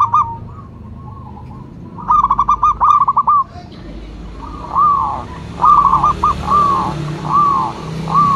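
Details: Zebra dove of local stock, a lure and calling bird, delivers a burst of rapid clipped coos followed by rising-falling arched coos, with a faint hiss of background noise.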